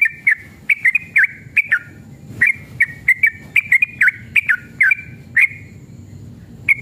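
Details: Sooty-headed bulbul singing hard in long 'ropel' style as bait for other birds: lively streams of clear, slurred whistles, often in pairs, with a short pause mid-way and one final isolated note.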